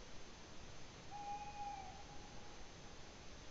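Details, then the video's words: Tawny owl calling at Ūpis, Latvia, on 8 May 2017: one drawn-out even tone of under a second that trails off and falls slightly, heard through continuous hissing noise. "Tawny Owl call"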